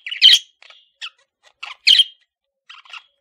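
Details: A male budgerigar kept as a pet calls with two loud buzzy chirps separated by soft short ticks and faint squeaks.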